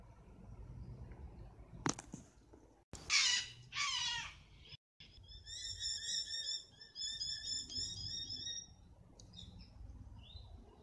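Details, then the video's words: A sulphur-crested cockatoo from Australia gives two harsh, grating screeches, then a burst of quick, nasal squawks repeated several times; a sharp knock sounds just before. "sulphur crested cockatoo"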